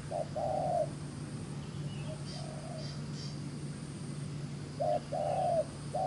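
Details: Wild-caught spotted dove giving fast coos, a short note and longer coo at the start, a long quiet gap with faint distant sounds, then another paired coo near the end, over a pronounced low hum.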